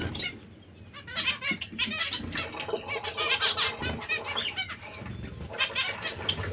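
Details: Chattering of zebra finch breeding pairs: many quick, nasal, toy-trumpet-like notes overlapping in bursts, with a soft background hum.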